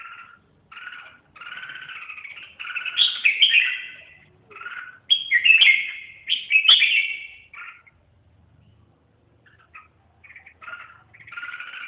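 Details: Red-whiskered bulbul singing a run of chirpy, warbled phrases, some doubled and clipped, others swelling into louder rich flourishes. A quiet pause is followed by further short chirps.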